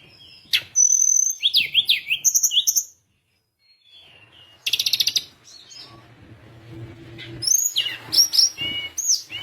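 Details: Sunda minivet in energetic song used to provoke rival birds: quick high chirps and down-slurred notes, a silent gap, a short burst of rapid buzzy notes, then more sharp high chirps against faint low hum.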